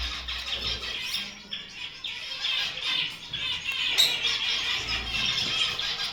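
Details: Pet Gouldian finches (Chloebia gouldiae) chatter in a dense, continuous stream of thin, high squeaky notes, several birds calling over one another with no steady rhythm.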